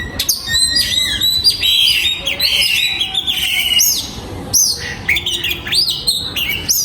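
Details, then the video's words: An oriental magpie-robin in a breeding aviary produces a high, sweet warbling song with sliding whistles and arched notes, broken by sharp chips and short pauses. "Giọng Chim Choè Than Hót"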